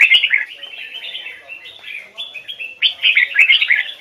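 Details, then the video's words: A red-whiskered bulbul from the Hoài Sơn forest sings a rapid, unbroken run of bright, chattering and fluty double notes, rising and falling in pitch, with no other sounds. "Chào mào hót giọng chuẩn, âm kép"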